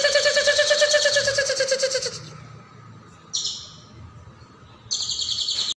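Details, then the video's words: Caijo song in a recording for training songbirds: a long rich trill of rapid buzzy pulses over a lower rattle, then two shorter high buzzy trills after pauses. "MASTERAN CAIJO GACOR"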